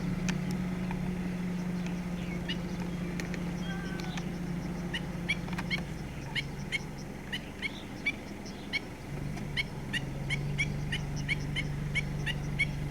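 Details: Black-winged stilt moving back and forth and warning its chicks at a wetland in Yuanlin, Taiwan, 23 July 2016, filmed on a handycam: sharp, high, clipped calls repeated rapidly in uneven bursts over a steady low humming drone.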